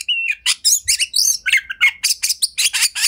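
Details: Oriental magpie-robin, a house-kept bird singing continuously as a prompt to make other magpie-robins sing and show their repertoire: a rapid, varied stream of sharp chirps, whistled slurs and scratchy notes, with a steady whistle near the start.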